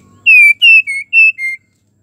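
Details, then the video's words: Female white-rumped shama in breeding condition calling a male, giving five pure whistled notes in quick succession, alternating slightly higher and lower, the last one dropping lowest. "MURAI BETINA BIRAHI MANGGIL JANTAN"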